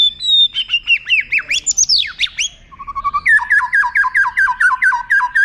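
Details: White-rumped shama song used as a tutor for contest birds: loud varied phrases with descending whistles, sweeping slurs, then a fast run of repeated chopped notes, no other sounds.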